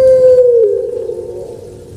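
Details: Kept Barbary dove (puter pelung, Streptopelia risoria) gives one long, smooth, hollow coo that slides gently lower in pitch and fades over about two seconds; no other sounds.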